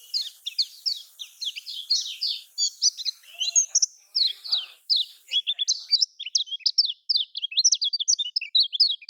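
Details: Lemon-bellied white-eye song characteristic of Lombok, meant to stimulate reluctant caged birds: continuous rapid high chirping and twittering, with faint background hiss and a brief murmur of a voice midway.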